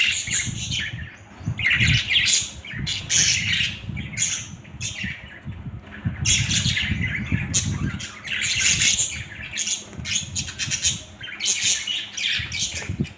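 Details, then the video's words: Budgerigars chattering in repeated loud bursts of scratchy squawks and warbles separated by short pauses, over a low background rumble. "Budgies ki masti"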